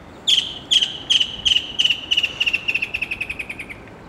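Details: Mangrove kingfisher in mangroves near Isipingo Beach, 7 April 2023, giving a loud, high series of sharp notes that speed up and slightly fall in pitch, fading into a rapid trill over about three seconds.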